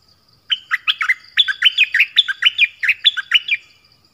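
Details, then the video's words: Nok dok taeng song in the double style, for teaching young birds and luring wild ones: one unbroken three-second run of quick, hooked chirping notes, clean and loud. "เสียงนกดอกแตงEp.5 Birds sounds เพลงเบิ้ล เปิดให้ลูกนก-ลูกเสอร้องตาม ใช้ต่อนกป่า เปิดให้นกคึก"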